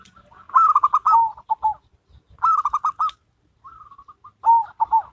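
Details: Local and crossbred zebra doves singing a duet, loud rapid rattling coo phrases about two seconds apart, each ending in lower, slower notes, with a softer reply between them.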